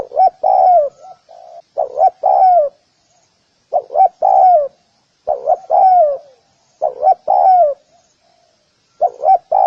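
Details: Spotted dove calling to lure other doves, a lure call known in Vietnam as gù kích bổi; a loud repeated coo of two quick notes then a longer falling coo, phrases about every two seconds, with faint soft coos between.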